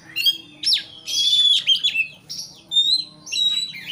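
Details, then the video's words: Provoking song of an Oriental magpie-robin: bright sustained whistles with quick rising and falling slides, mixed with short scratchy notes, packed into a few seconds. "pancingan kacer emosi supaya lawan cepat ngotot/ emosi"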